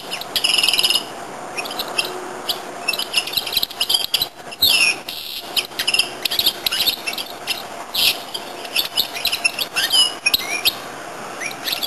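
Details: Goldfinch-canary hybrid in continuous high song, with chattering twitters, buzzy trills and swooping whistles that run on with short gaps.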